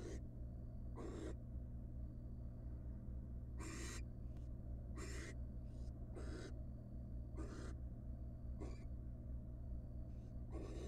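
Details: At a research-monitored nest box, a wild barn owl father delivers a giant rat the first night his first chick hatched; irregular harsh hissing screeches, some long and some clipped short, come in quick uneven succession.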